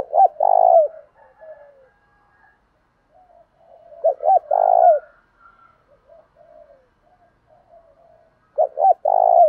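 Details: Thổ đồng-style spotted dove coo, meant to stir rivals into fighting. Three strong, deep cooing phrases arrive about four seconds apart, separated by quiet, soft gurgling notes.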